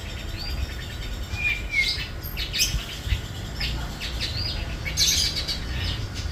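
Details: Ringed Sapudi long-tailed shrike mimicking rio-rio, parakeet, tengkek buto and sparrow: quick varied chirps, thin rising whistles and twittering notes, with faint low rumble behind.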